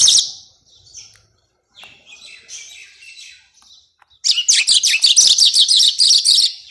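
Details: Bird song from a master track for contest birds: a loud high burst, then soft scattered twittering and a quiet gap, and finally a dense, rapid run of sharp high chips and trills.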